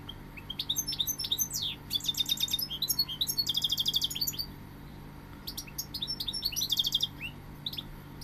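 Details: Goldfinch delivering a lively twittering song: fast runs of high chirps, buzzy trills and sliding notes in bursts separated by brief pauses, a constant faint hum in the background.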